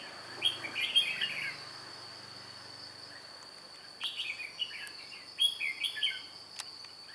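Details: Caged red-whiskered bulbul decoy for trapping wild birds, 2 July 2018, gives two bursts of quick chirpy warbling phrases separated by a pause. An unbroken high insect tone and a few sharp clicks run underneath.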